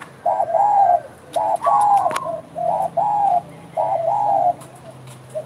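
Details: Lively spotted dove cooing: mellow, slightly descending hoots in short groups about a second apart, with a higher rolling phrase early on and faint clicks and knocks in the background.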